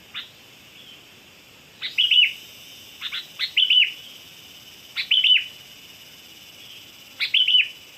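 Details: Lure song of a sooty-headed bulbul: four short, chirpy warbled phrases, each starting with a crisp click, delivered roughly every one to two seconds against a quiet background.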